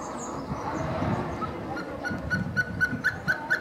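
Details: Hemprich's hornbill calling in Dessie, Ethiopia: after a noisy, low-rumbling start, a quickening series of short piping notes begins halfway through and repeats about twice per second, growing louder toward the end.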